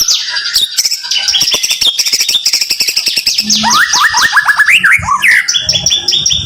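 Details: Rapid song bursts of a white-rumped shama (murai), the 'tembakan rapat' style used for training: a fast clicking volley followed by a series of quick descending slurred whistles repeated in a row.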